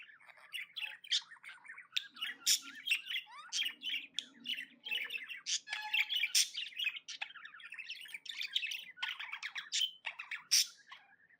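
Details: Continuous happy warbling by a pet budgerigar, full of squawky bursts and rapid twittering chirps without pause, plus a faint low murmur in the background.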